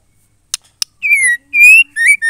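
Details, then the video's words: White-rumped shama female song, used to get males singing: a pair of clicks, then a long falling whistle, a long rising whistle and two quick shorter whistled notes, clear and loud against silence. "MURAI BETINA GACOR PENCETAK MURAI GACOR"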